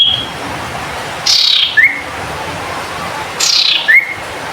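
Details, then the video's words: Cinereous tit, locally called sirtu, singing actively: two phrases about two seconds apart, each a high, buzzy downward slur followed by a short rising whistled note, over a steady background hiss. "Sirpu Cipoh Gacor"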